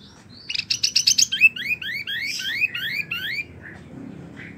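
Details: Kept Bar-winged Prinia in a long rolling song: a quick burst of buzzy, stuttered notes, then a rapid run of high, slurred, up-and-down whistles, about four notes a second.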